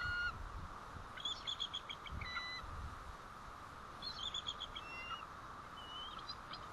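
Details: Bald eagles calling at the White Rock nest on 1 April 2012 near 10:08 am, when the female leaves; two bursts of quick, high chattering notes and a short thin whistle over steady background hiss.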